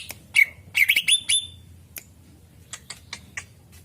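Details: Lively greater green leafbird song played as a lure for other birds; a quick burst of piercing whistles and twittering notes, followed by scattered sharp chips over a faint low hum.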